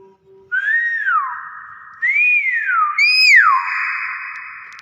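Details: Nias hill myna calling with three loud arched whistles about a second apart, each climbing and then falling away, the last one sharper and brighter.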